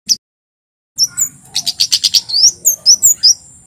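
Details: Singing male white-bellied sunbird, the Javan kemade, as lure audio to make captive birds sing: one sharp chirp, a pause, then a fast run of high, even, clipped notes ending in upward-slurred whistles.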